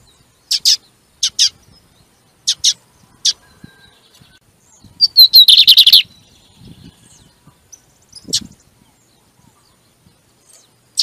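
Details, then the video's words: Double-collared seedeater song used to stimulate another bird during training: spaced sharp chip notes, then a brief dense burst of rapid buzzy notes, with a few scattered clicks and soft low noises. "CANTO DE BIGODINHO PRA FOGUEAR O SEU NO MANEJO"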